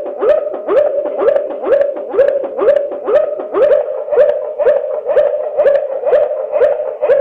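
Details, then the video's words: Waterslager canary performing the klokkende tour at reduced speed: a long, regular run of mellow, upward-sliding bell notes, roughly two per second, clear and continuous throughout. "Klokkende Slowed Down (yavaşlatılmış klokkende)"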